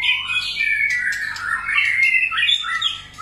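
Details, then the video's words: Varied, many-voiced song of a white-rumped shama, played to encourage other shamas to sing: one continuous, fluid stream of swooping whistles that climbs, dips and warbles, strong and clear throughout. "kích chòe lửa hót,chòe lửa hót nhiều giọng"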